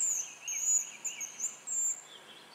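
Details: Hazel grouse calling on a spring lek in Russia: a run of five or six thin, very high whistled notes, each brief and slightly wavering, over a softer lower trill.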